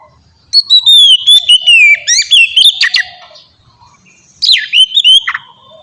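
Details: Captive-training ngeplong song of a white-rumped shama: a long clear whistle gliding gently downward, then rapid chattering notes, a pause, and a final burst of swooping whistles.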